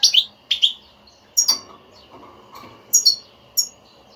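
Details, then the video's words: Stimulating betbeta from a European goldfinch, meant to rouse a non-singing goldfinch to sing: short high chirps in paired bursts, roughly one pair each second, with quiet gaps between. "حسونك لا يغرد أسمعه هاته البتبتة وشاهد النتيجة"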